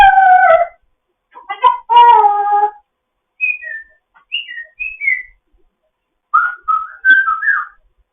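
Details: Foster African grey parrot chattering in the morning: a few rich harmonic calls, then short clear whistled notes that fall in pitch, ending with a run of warbling mid-pitched whistles.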